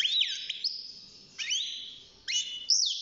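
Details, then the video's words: Six-month-old caged European goldfinch just beginning to sing: a few sparse, high sweeping notes, one dipping then rising, separated by short pauses, with no other clear sounds. "الحسون بعد مرور ستة شهور أصبح يغرد"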